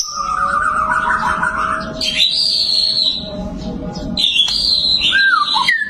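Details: Prize-winning white-rumped shama mixes a low buzzy warble with loud high whistled notes that swoop and bend downward. Steady low background noise sits beneath.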